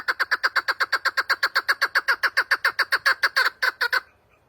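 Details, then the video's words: Chukar partridge giving a loud, rapid run of harsh clucking notes, about four per second, steady in pitch and evenly spaced for four seconds before stopping abruptly; no other sounds. "Keklik Sesi"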